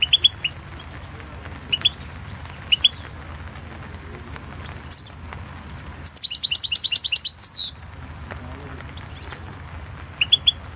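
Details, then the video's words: European goldfinch competition recording, 2016 world championship in goldfinch song held online: sparse high chirps and short twitters, then a dense burst of fast twittering ending in a sharp downward slur, with faint low background hum. "World championship in Goldfinch Song 2016"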